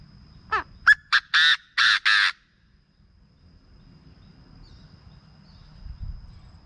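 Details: Chinese francolin call used to excite birds for decoy trapping: a quick rising squeak and short clicks lead into three loud, rasping, evenly spaced notes, then quiet background.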